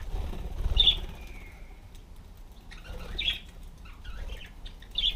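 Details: Pet parakeets (budgerigars) perched on a self-made bicycle wheel that turns when they sit on it, giving short, sharp high chirps at irregular intervals, a brief thin whistle, some wing flutters, over low rumbling background noise.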